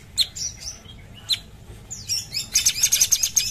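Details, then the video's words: A Sumatran bulbul singing actively, giving isolated sharp high chirps and short slurred whistles before breaking into a dense, fast run of piercing trilled notes. "Cucak cungkok gacor"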